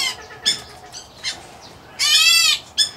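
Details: White-headed Black Bulbul chick, Indian-area subspecies, kept in an aviary: faint scratchy notes followed by one loud, harsh, half-second rasp.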